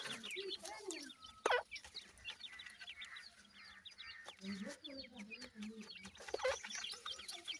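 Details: Captive partridge chicks under care, a crowd of tiny birds cheeping in rapid, overlapping high arched notes, steady throughout, with a sharp knock near the start and softer rustling.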